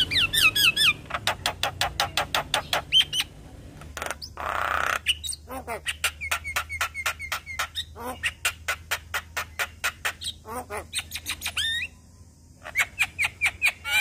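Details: A young Asian pied starling chatters busily: long runs of rapid clicking notes mixed with squeaky whistled phrases and a harsh rasp, continuing almost without pause.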